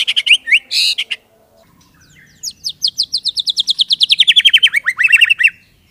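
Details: White-rumped shama song: opening buzzy phrases, a pause, then a long accelerating run of sharp descending notes that drop in pitch toward the end.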